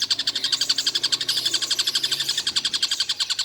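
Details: Stork-billed kingfisher that calls all day without stopping: a continuous rapid series of high, harsh repeated notes, evenly paced at roughly four per second.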